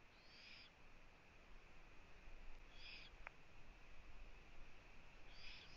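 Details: Eurasian eagle-owl recorded by a live nest camera in Latvia on 1 June 2017 at 15:01, the female visiting her owlets. Three breathy, rasping hisses come about every two and a half seconds, with one sharp click between them, over a constant electronic whine.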